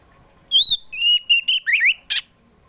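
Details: Afternoon lure song of a kacer poci Oriental magpie-robin meant to prompt pet birds to sing: a rising whistle, a run of level piping notes, a twisting slur, and a closing harsh rasp.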